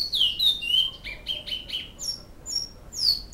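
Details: Great-billed seed finch singing in Canoas, Flauta Modesta song style: clear whistled notes sliding downward, a run of short fluty phrases repeated quickly, then higher thin whistles toward the end.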